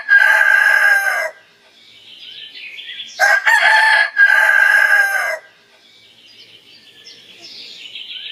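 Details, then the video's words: Two rooster crows at morning: a crow of just over a second, then quieter chirping bird calls, then a longer crow of about two seconds, with soft bird calls continuing afterward. "Rooster Crows - For Wake You Up"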